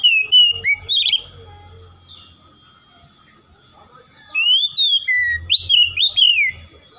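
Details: [0]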